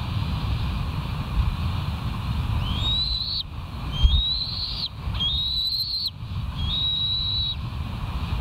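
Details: Early-morning bald eagle calling at the West End nest, 28 July 2023, 05:13, on a live cam: four high, thin whistles in a row, each rising then clipped off, amid windy background rumble.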